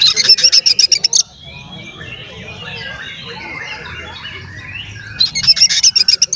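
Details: Singing Oriental magpie-robin, played to stir other magpie-robins into aggression: rapid trains of harsh, high, clipped notes open and close the recording, separated by a quieter stretch of distant chirping birds.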